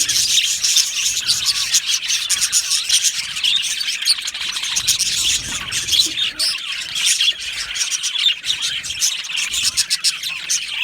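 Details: A colony of happy budgerigars kept in an aviary, chirping together in a steady, busy wall of high twittering and short buzzy notes with no pauses.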